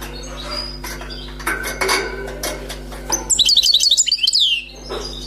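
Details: Newly caught wild European goldfinch singing: after about three seconds of clattering and knocking noises comes a short burst of rapid, high, twittering notes with tinkling trills, then quiet.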